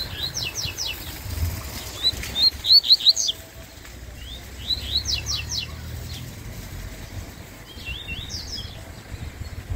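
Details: Coleiro-baiano, a Yellow-bellied seedeater, singing competitively against a rival: three bursts of fast, sharp, descending whistled notes in tight clusters, separated by short silences over steady low rumble.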